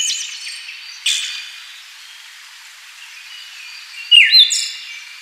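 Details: Faint high notes give way to a short, loud, twisting whistle from a Siberian thrush near the end of the recording, over a soft hiss.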